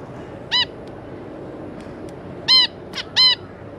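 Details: Captive zebra finch pair with their three juveniles, recorded on 26 May 2022. Loud, nasal, trumpet-like single calls, one early and then three close together near the end. Quiet background with faint clicks.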